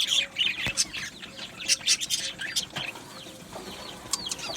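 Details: Colony of budgies singing, with loud, buzzy, twisting warbles at the start, then a quieter run of chirps and looping notes, with occasional clicks.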